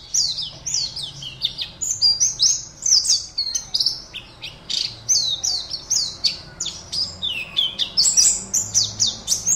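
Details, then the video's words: Competition-kept Oriental white-eye from Pontianak, West Kalimantan, sings continuously: rapid high twittering phrases of sharp chirps and sliding whistles strung together almost without pause, over a quiet low hum. "LOMBA PLECI ONLINE 52 - Aksi Pleci"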